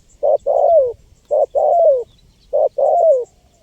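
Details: Energetic spotted dove calling for luring wild birds: three rapid coo phrases about a second apart, each a short hoot followed by a long, smoothly falling one, with faint high bird chirps behind.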